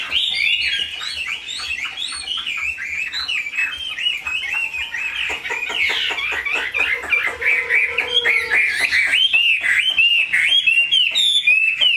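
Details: Chinese hwamei in a cage singing a lively, jumbled medley of whistles and chattering notes, with a short lower steady tone partway through and faint background clatter.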